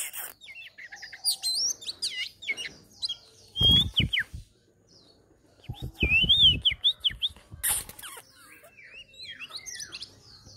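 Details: Oriental magpie-robin, a female caught in a trap and brought home, sings a varied run of clear whistles, rising slurs and chattering notes.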